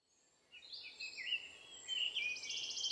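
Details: Pearl Kite in Costa Rica giving thin, high, squeaky whistled notes that slur up and down, then break into a rapid, buzzy twittering trill; otherwise quiet.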